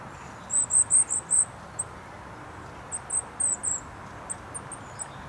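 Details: A goldcrest at Rooksbury Mill Local Nature Reserve on an overcast 3 December 2017 sings very high, thin, needle-like notes in quick runs of four or five, with scattered single notes, over steady low traffic rush from the A303.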